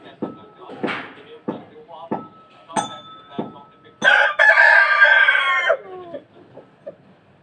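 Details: Strong Indian desi cock gives one long, loud crow lasting nearly two seconds, harsh and strained, ending in a falling tail, after a series of short sharp knocks and clucks.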